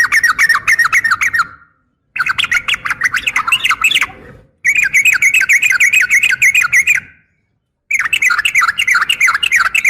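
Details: Sooty-headed bulbul female calling a male, fighting song; four dense bursts of rapid, chattering whistled notes, each lasting about two seconds, separated by short silences, sounding harsh and clipped.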